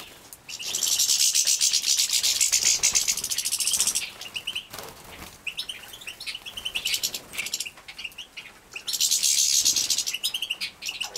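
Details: Young European goldfinches, captive-bred in Poland, 2017, begging while fed: two long loud buzzy hissing bouts from the chicks separated by softer scattered high tweets and wing flutters.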